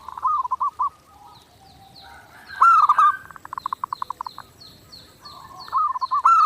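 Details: Zebra dove (perkutut) in clear, vigorous master song for daily training: rolling cooed phrases broken by a rapid pulsed stutter. Another bird gives a steady series of thin high chirps behind it.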